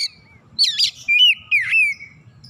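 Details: Oriental magpie-robin, described as a lazy bird that sings freely after hearing this, giving a burst of harsh chattering notes followed by long smooth whistled glides that dip and rise, over a soft low hum.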